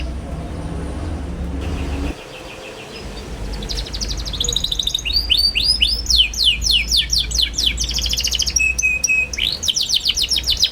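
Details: After a few seconds of near quiet with a faint hum, a young canary bursts into busy song, meant to prompt young canaries to learn. It uses rapid high swooping notes, buzzy trills and a steady whistled tone near the end.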